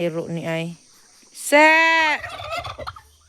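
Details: A goose that had wandered off and come back home, giving a lower nasal call, then a long, strong, clear honk, followed by rougher fluttering sounds.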